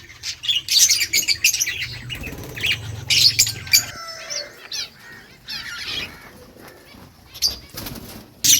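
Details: Rose-ringed parakeet eating green leaves, with harsh loud squawking bursts spaced irregularly, quieter chirps in between, and a low rumble in the first half.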